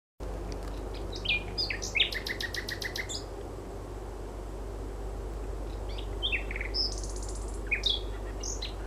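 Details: Common nightingale singing around 23:30 on 4 May 2016 along the River Mole at Gatwick Airport: varied phrases of whistles, a fast rattling trill of repeated notes, and high pure notes, over steady low airport rumble.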